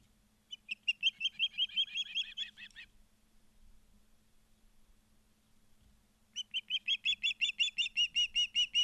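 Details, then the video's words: Ospreys at a nest in Charlo, Montana, recorded by a live nest camera on 12 September 2023 in the afternoon: two bursts of rapid, piercing chirps, about three per second, separated by a quiet gap, over a low steady hum. "Charlo Montana Ospreys"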